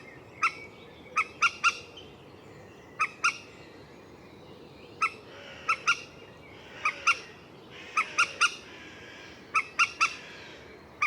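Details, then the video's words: Common moorhen delivering a long run of sharp, clipped notes, often in twos or threes, scattered irregularly with short gaps between bursts. "Moorhen Bird Sound | Beautiful Calls & Sounds of the Common Moorhen"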